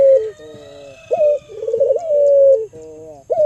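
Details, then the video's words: Albino local Barbary dove used as a lure for other doves: soft steady hooting coos broken by short quavering, rolling notes and a rising swoop, the phrases separated by brief pauses in a quiet setting. "Pancingan Burung Puter Lokal Albino Gacor Suara Merdu"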